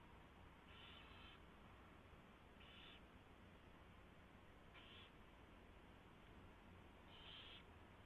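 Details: Owl at a nest at 4:21 in the morning, 24 February 2016, as a mouse is delivered and fed: four short, harsh hissing screeches spaced about two seconds apart over a steady low hum.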